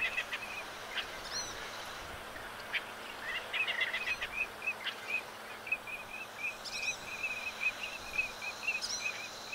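Hottentot teal giving a steady string of short, high, clipped notes, about three each second, with a few sharper chirps mixed in over a quiet outdoor background.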